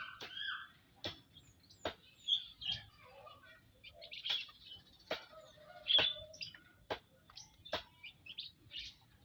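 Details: Group of munias kept in an aviary, 19 April 2025: sharp high chirps and thin notes from several birds, mixed with repeated wing flaps throughout.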